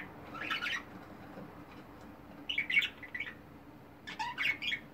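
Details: Indoor pet budgerigars chattering in short, buzzy warbled bursts separated by brief pauses, the last burst busiest, with a faint constant hum underneath.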